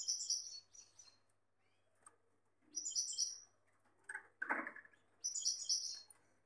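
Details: A caged male Gloster canary with a female gives bursts of high trilled song separated by pauses, with a few lower chirps and a soft rustle between phrases.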